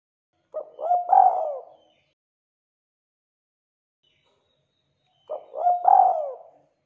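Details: Spotted dove calling as a lure for other doves: two identical short phrases nearly five seconds apart, each a pair of quick stuttered notes leading into a swelling, quavering coo that falls away, otherwise silent.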